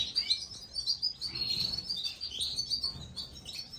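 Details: Gloster canary chicks being fed, giving a steady stream of high, thin, overlapping peeps and twitters with little pause throughout.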